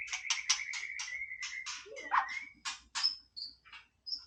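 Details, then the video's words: White-rumped shama singing playfully: a run of short buzzy, scratchy notes over a steady sustained whistle, a sliding whistled note near the middle, then sharp chips and thin high whistles, with faint background rustling. "นกกางเขนดงร้องเล่น Shama Bird"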